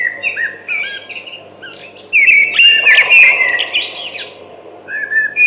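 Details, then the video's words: Thrush in song, soft scattered whistles at first, then a loud rapid run of varied whistled and trilled notes, followed by quieter phrases and a final clear whistle. "Beautiful Thrush Singing"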